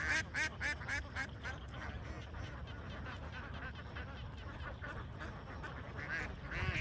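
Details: Many young ducks raised together on a farm, quacking in rapid, overlapping bursts, roughly four calls a second, louder at the start and end, with a constant low hum underneath.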